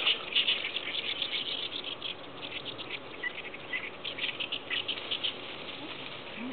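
Oriental reed warblers sing harsh, grating chatters in quick repeated bursts, overlapping with other birds in a busy, continuous chorus.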